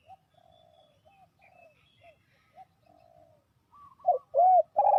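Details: Spotted dove calling, a sound used to lure wild doves for trapping: soft, low, hollow coos in a broken rhythmic series, ending in several louder, fuller coos.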